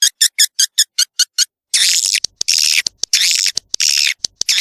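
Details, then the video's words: High swiftlet calls meant to attract young birds into a new nesting building: eight evenly spaced sharp chirps, a brief pause, then loud rasping buzzy bursts broken by clicks. "suara walet terbaru 2021"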